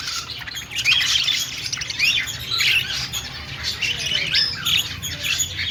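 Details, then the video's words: Aviary flock of budgerigars at a pet store giving lively, continuous high chirps, rising squeaks and rapid twitters layered over one another, the chorus swelling and easing in waves. "Flock of singing and chirping budgies in aviary |parakeet chirping sounds"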